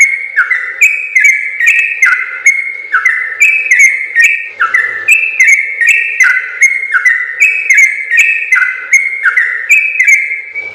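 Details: Sooty-headed bulbul giving gacor ropel song, continuous and long, as a training recording for other birds. Repeated clear whistles shift up and down in a rapid, unbroken sequence throughout.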